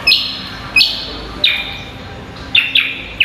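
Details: Cucak kombo singing vigorously in a masteran training recording for songbird contests: loud whistled notes that slide and hold high, given in spaced bursts about every 0.7 seconds, with a faint low hum underneath.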